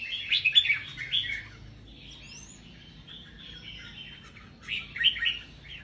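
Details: Red-whiskered bulbuls held in cages compete in song. A strong burst of rich, chattering whistles opens, then quieter, thinner warbling follows with a lone rising slur. Another loud whistled burst closes.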